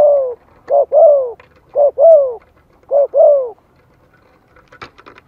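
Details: Spotted dove lure call in the 'Giọng Thổ' voice, played to stir newly kept birds into calling. Hollow coos come in repeated pairs, a brief note then a longer descending one, three times about a second apart. A soft rattle follows near the end.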